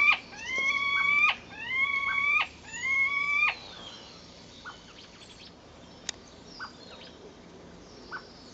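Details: On April 10th 2011, two common starlings, fighting or mating, produce three loud, grating, slightly rising squawks in quick succession, each about a second long, then fall quiet apart from faint ticks.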